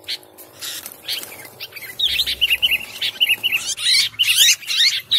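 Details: Chatty sooty-headed bulbul song meant for luring birds: loud, rapid chirps and sharp buzzy notes crowding together, a string of even chips in the middle, with other bird calls mixed in.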